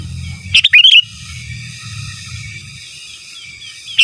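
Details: Sooty-headed bulbul singing for masteran in gacor, giras and menggaruda style: one lively phrase of sharp chips sliding into a rising whistle, then quiet low rumble and a last note starting.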